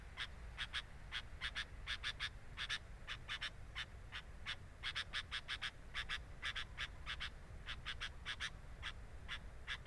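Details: Sooty-headed bulbul at the nest, captured by a camera set at the nest: rasping, buzzy notes repeated in short runs of two to four, going on steadily for about ten seconds with a faint low background hum.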